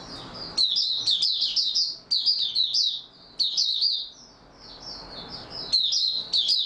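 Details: Stable-form opening song of a white-eye, 28 February 2022: rapid high-pitched warbled twitters in repeated phrases, each about a second long, separated by brief gaps.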